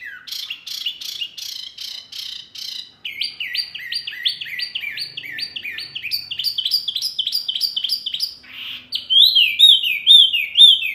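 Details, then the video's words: Bird master-song meant to make caged birds reply: a long sequence of rapid, repeated rising-and-falling notes in changing rhythmic series, ending with louder sharp downslurred whistles. "Masteran burung Murai, Kacer, Cucak ijo, jalak, pasti NYAUTTTTT"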